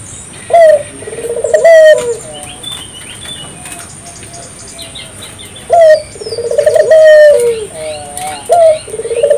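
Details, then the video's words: Spotted dove phrases meant to get local doves singing: a high clear note then a rolling trilled coo, separated by a quieter pause with faint chirps and soft background noise. "suara burung puter gacor,merangsang burung puter lokal ikut gacor"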